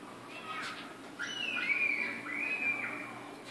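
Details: Hand-raised pearl cockatiel: a soft, drawn-out whistled note that slides level then dips, followed by a second fainter whistle, over quiet room noise.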